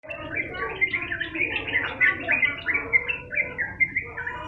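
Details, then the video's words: Yellow-vented bulbul singing continuously in a long unbroken stretch, used as a tutor recording for training birds: rapid bubbly chattering notes with quick up-and-down phrases running without pause, over a low steady background hum. "masteran burung trucukan gacor ngedur durasi panjang"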